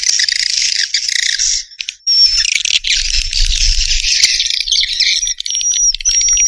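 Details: Swiftlet chatter, a dense high buzzing twitter almost throughout, with a thin pure whistled tone appearing at times and a soft low rumble underneath.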